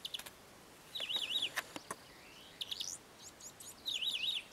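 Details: Many-colored Chaco finch in Sierra de las Quijadas National Park: two high undulating, wavering phrases near the start and end. Sharp clicks and other thin high chirps fall between them over a faint hiss.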